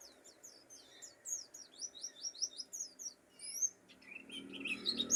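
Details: Mountain white-eye, known as pleci dakun, from Pacitan, singing a fast, bright chatter of very high, sharp downslurred chirps, then a few longer whistled notes. A brief rustling noise follows near the end.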